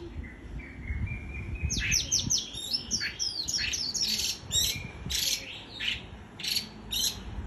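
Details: White-eye delivering líu choè song: a rapid run of clear falling whistled notes, followed by dense scratchy chattering bursts repeated irregularly, against low hum.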